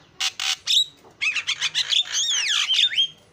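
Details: Starling lure song used to draw out other birds: harsh buzzy bursts followed by a run of sharp clicks and swooping whistled slides, delivered in quick varied phrases.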